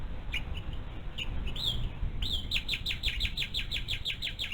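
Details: Mother bald eagle at her nest with a one-month-old eaglet, picked up by a live nest camera. After a few soft notes she gives a long rapid series of about fifteen high, thin, downslurred piping notes, with forest birds calling in the background.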